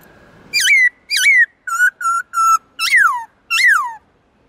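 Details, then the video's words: Whistled song from a black-throated laughingthrush, a bird switching among many voices: upslurred notes, then three level whistles, then two long downslurred whistles, each separated by brief silences. "Khướu bạc má hót nhiều giọng kích bổi cực nhạy/Luyện khướu bạc má hót giọng rừng cực chuẩn"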